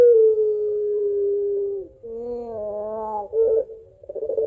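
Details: Barbary dove of the long-cooing puter pelung type calling its mate: a long, steady, slightly falling tone for about two seconds, then a wavering, laugh-like coo with a lower undertone and a short burst.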